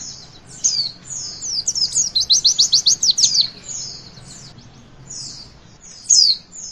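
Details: Song of the Javan white-eye in witwit style, meant to prompt young birds into singing: a single fast, high trill of repeated sharp notes near the middle, framed by thin slurred whistles and quieter gaps.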